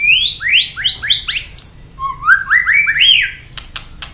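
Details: White-rumped shama, a caged songbird kept for singing, delivering loud clear whistled phrases: rising slurred notes stepping upward in quick series, then a lower run of rising whistles, ending with a few sharp clicks.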